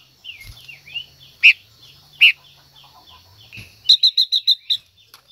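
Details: Caged female silver-eared mesia singing to stimulate a male: a string of sweet slurred whistles, two louder sharp notes, then a quick run of bright repeated notes near the end.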